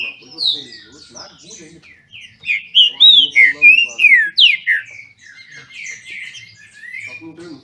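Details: Captive Green-winged Saltators from Brazil competing: softer scattered whistles build to a loud, rapid burst of rich slurred notes in the middle, then tail off into quieter sliding whistles.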